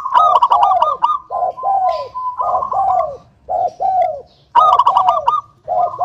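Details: Zebra dove, local type, giving a lure song to coax other doves into singing: fast sequences of bright coo notes with falling tails, phrases repeated about every second and a half, short pauses between groups.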